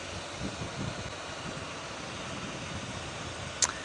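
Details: Steady engine and fan-like hum from a moving safari vehicle, with a single sharp click near the end and no animal voices.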